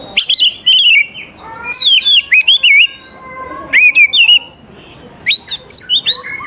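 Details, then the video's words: Vigorous oriental magpie-robin song meant to draw young forest birds into replying, rich looping whistles and slurred notes mixed with quick chattering bursts, some phrases held and falling, rhythmic clusters toward the end. "KACER GACOR SANGAT AMPUH UNTUK MEMANCING KACER MUDA HUTAN BIAR IKUT NYAUT DAN LANGSUNG GACOR"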